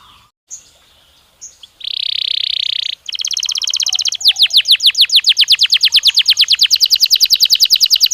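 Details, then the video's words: Belgian canary stimulus song for training a bird to sing: after brief quiet, a steady buzzing roll holds for about a second, then a long, very rapid trill of clipped notes speeds up and grows louder. "Som de estímulo que faz o canário belga responder com voz mais clara"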